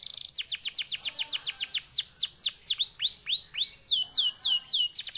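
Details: Canary, F1YS type, delivering a long, fast and clear song: a rapid series of sharp downslurred whistles that slow into broader swooping notes, then a quick high trill again.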